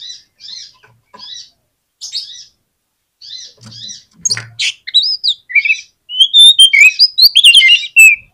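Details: Oriental magpie-robin song used as a lure to make a reluctant bird answer. It opens with short, evenly spaced high chirps, then builds into dense, loud, varied whistled phrases that rise and fall.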